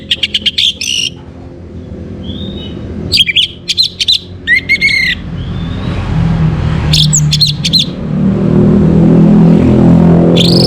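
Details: Orange-headed thrush, North Bali, a morning lure song for bringing birds into breeding condition: brisk clusters of clipped high notes and short slurred whistles in the first half, then fading under a swelling low rumble.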